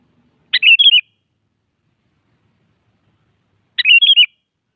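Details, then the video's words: Morning song of a sooty-headed bulbul calling out a rival, two brief liquid phrases of quick warbled notes about three seconds apart, on a silent background. "Suara Burung Kutilang Pagi Hari Mengajak Lawan Adu Bunyi"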